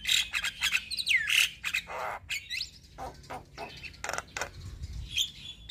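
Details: Javan myna in lively song, recorded as tutor material for other songbirds: shrill whistles and a swooping slurred note, then harsh rasping bursts mixed with scratchy chatter and clicks, ending on a thin high whistle.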